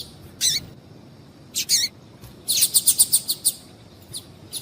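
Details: Female double-collared seedeater calling to warm males up into song: two longer high chirps with dropping tails, then a rapid even series of about seven sharp chips.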